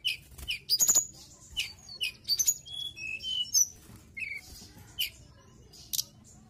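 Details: Mountain tailorbird in full song: rapid clicks and high chirps, then several clear whistled notes, some held and some dipping, followed by sparser chirps.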